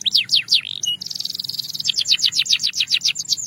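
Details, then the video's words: A Belgian canary sings a high, fast song of calm, clear tones, used as a training sound: a few sweeping whistled notes, then a dense buzzy trill and a run of quick repeated chirps. "Belgian Canary Singing"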